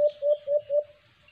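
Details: White-eared brown dove, called alimokon, recorded during cage-trap hunting: four rapid, low hooting coos, each flat and rounded, ending after about a second with faint hiss remaining.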